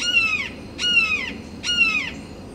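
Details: Perched red-shouldered hawk giving territorial calls toward rival hawks: three loud, harsh, down-slurred 'kee-ah' notes, each about half a second long and spaced roughly 0.8 seconds apart, over a faint background hiss.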